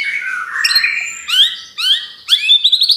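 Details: White-rumped shama singing as a lure to provoke other birds, a loud varied run of whistled notes: a falling slur, then quick rising upsweeps repeated in short bright bursts.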